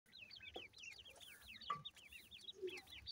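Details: Newly hatched francolin chicks with their parent bird: a busy stream of thin, high, peeping chirps, each rising then falling, overlapping from several chicks at about one per second, with faint low rustling underneath.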